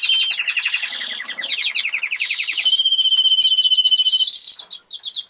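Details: Caged Norwich canaries, a pair kept in an aviary in England, sing as they eat: a descending rapid trill leads into a long even roll of repeated notes, fading out at the end.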